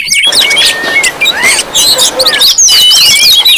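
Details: Provoking lure of noisy Oriental magpie-robins: irregular volleys of whistled, swooping notes and sharp chirps, roughly two to three per second, several birds overlapping.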